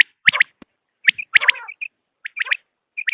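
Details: Common quail uttering quick sharp notes in short bursts with a brief buzzy, nasal element, spaced by short silences.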